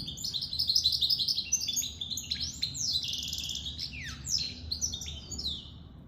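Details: Goldfinch × canary hybrid, a mule said to be out of the moult, delivering a lively high twitter with buzzy trills, quick repeated chips and a couple of clear downward-swooping whistles.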